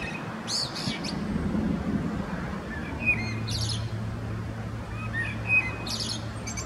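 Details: Common blackbird male singing in winter dusk or dawn light, Zurich canton, Switzerland, February 2017: scratchy high bursts of twitter between faint soft fluted notes, with a low droning rumble throughout.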